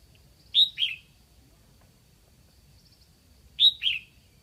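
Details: Red-whiskered bulbul kept as a decoy bird from Lạng Sơn, calling to lure wild birds; two short bursts of bright, slurred whistled notes, two- and three-part phrases, repeated about three seconds apart over quiet background.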